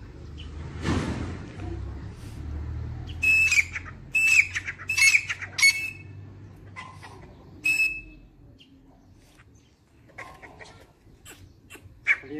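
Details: Dakhni teetar, the grey francolin, calls in a burst of four ringing whistled notes, then a single later note, with a soft rumbling background and scattered faint clicks.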